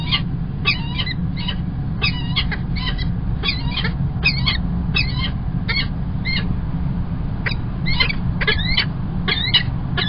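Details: Peregrine falcon at Kingston College, UK, 1 March 2021, male arriving with early breakfast, giving harsh, grating calls in quick bursts, two or three a second, over a steady low rumble of wind or traffic.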